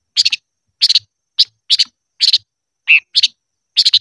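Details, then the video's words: Silver-eared mesia song used in voice training: bursts of two or three fast buzzy chirps repeated about every half second, with one lower, rougher note in the middle of the run. "Chim ngũ sắc hót hay luyện giọng - ngũ sắc hót ché"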